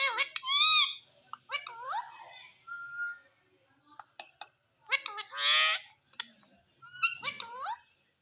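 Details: Talking Indian green ringneck parrot: spaced bursts of word-like harmonic phrases, a brief flat whistle, and a harsh raspy screech in the middle, separated by quiet gaps.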